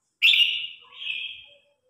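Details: A single long Red-whiskered bulbul phrase from competition singing meant to call the flock: a bright, strong whistle that dips and swells into a second sustained, slightly buzzy note.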